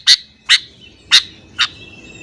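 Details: A sooty-headed bulbul gives four loud, sharp chips about half a second apart during morning calling meant to provoke other bulbuls, over a faint background hiss.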